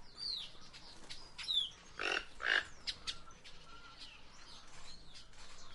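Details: Guianan toucanet calling in forest: two harsh, broadband, croaking bursts about half a second apart near mid-clip. Many thin whistles and chirps from other birds sound throughout.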